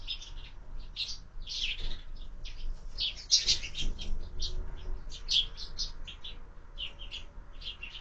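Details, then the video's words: Sparrows at a window-mounted feeder during breakfast, part of year-round bird feeding; a busy flock gives dense, overlapping short chirps and tweets throughout, with low background hum. "Воробьи в кормушке - Завтрак"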